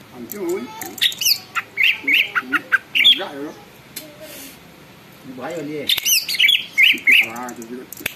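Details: Greater green leafbird (cucak ijo) singing actively, said to make other leafbirds join in and become agitated: bursts of high, sharp chirps and squeaky notes come in two clusters, with lower warbled, wavering phrases between them.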